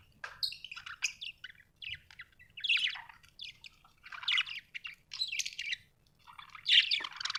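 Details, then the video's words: Happy budgerigar giving irregular bursts of scratchy, warbling chirps separated by short pauses, some notes sharp and high, against a quiet low hum. "Happy budgie chirping sound"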